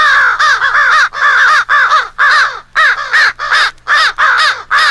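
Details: Flock of American crows in a rally call mixed into a crow-versus-owl fight for hunting: quick, grating caws in tight bursts of two or three, overlapping callers nearly continuous across the passage.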